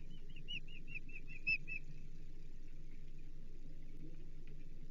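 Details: Osprey at a Chesapeake nest during feeding, 15 April 2024: a quick series of about eight short, high, slurred chirps in the first two seconds, then steady low hum and faint background noise.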